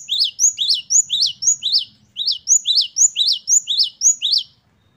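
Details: Great tit delivering gelatik batu gacor song: a long, even series of crisp, high rising chirps, roughly two per second, pausing briefly once, then fading to silence.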